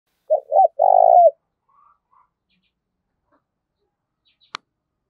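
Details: Spotted dove cooing in the Vietnamese 'thổ đồng' voice style, a 'gù thúc' and 'gáy gọi' performance: two short mid-pitched coos followed by one longer, burry, falling coo, then near silence with a faint click.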